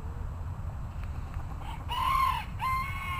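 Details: Bantam rooster crowing at moderate distance, a rising note followed by a long arched note and a level tail, with low-frequency background hum throughout.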